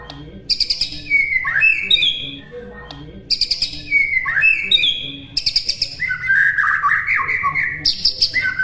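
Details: White-rumped shama phrases as a training recording: a burst of high notes falling into slurred whistles, repeated three times at an even pace. The last one ends in a longer run of chattering high notes.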